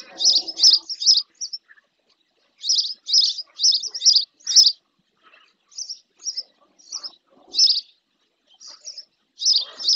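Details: Spotless starling female taking a bath close to the nest in the Doñana marshland, El Rocío, Andalusia, Spain, on a fixed camera; rapid high chirps grouped in runs of three to five, separated by short silences.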